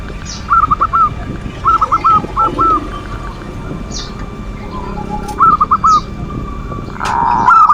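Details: Perkutut (zebra dove) manggung lure song; short, well-spaced phrases of four or five quick cooing notes separated by quiet gaps, with a soft background hiss and a louder burst at the end.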